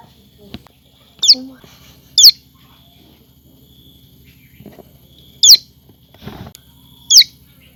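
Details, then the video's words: Common tailorbird chick repeating high, sharp descending chirps, several close pairs with longer quiet gaps, over soft rustling and a faint low thump. "টুনটুনি পাখির ডাক (Common Tailorbird)"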